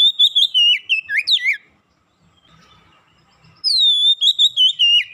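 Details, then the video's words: Kacer, the Oriental magpie-robin, in quick 'gacor' song after a single lure: a run of bright descending and twisting whistles, then about two seconds of near silence, then another burst of rapid, loud whistled notes. "sekali pancing Kacer macet bunyi cepat gacor"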